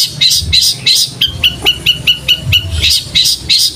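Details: Cage-bird training song of a long-tailed shrike imitating fighting sparrows: bright chirps repeated at an even pace, some high and some lower, roughly every third of a second, with a faint low hum beneath.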